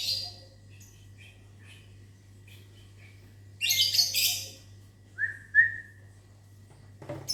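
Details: Morning in a small aviary: a lovebird gives a loud harsh screeching burst lasting under a second in reply to whistling, preceded by faint soft chirps and followed by a short human whistle and another brief screech.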